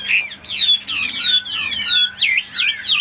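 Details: Caged, tame Chinese hwamei kept as a songbird, singing a dense run of loud, rich whistled phrases that swoop up and down, with quick slurred notes crowding each other almost without pause and a faint steady hum underneath.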